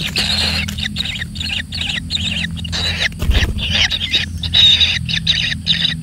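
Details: A single kingfisher chick receiving plenty of food: choppy, hoarse rasping calls in uneven bursts, with a low thud partway through.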